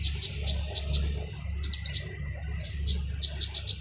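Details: Harsh-voiced kolibri ninja sunbird, a training song for other cage birds: rapid shrill high chirps in quick groups, a brief pause, then more sharp piercing notes, with a steady low rumbling hum beneath.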